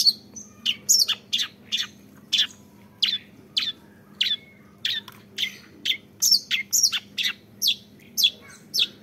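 A young long-tailed shrike gives scratchy, high chirps, about two a second in uneven bursts, over a faint low hum.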